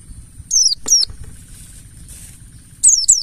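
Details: Mountain white-eye lure, ngalas style: a few piercing high notes sliding downward, two near the start and a quick pair at the end, with soft low rumble between.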